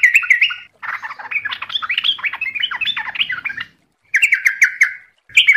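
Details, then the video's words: Trucuk, or yellow-vented bulbul, singing energetically: a short bubbly phrase, then a long jumbled chatter of varied quick notes, followed by repeated warbling notes after a pause. "MASTERAN TRUCUKAN GACOR||LANGSUNG NYAUT CEPAT ROPEL||TERAPI TRUCUK"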